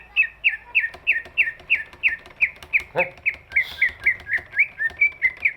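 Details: Song of a large greater green leafbird, used as a lure to get lazy birds singing: steady rows of short chirped notes repeated about three times a second, with a brief click partway through.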